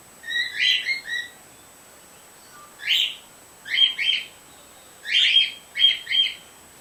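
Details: Captive white hen bird calling from behind a screen door beside a male: loud, clipped chirp clusters of two or three notes, spaced a second or more apart with quiet gaps.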